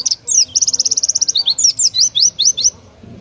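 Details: Oriental white-eye producing its contest-favoured 'tembakan' song: opens with a fast, buzzy trill of tightly packed high pulses, then slower, looping whistled slurs before ending abruptly.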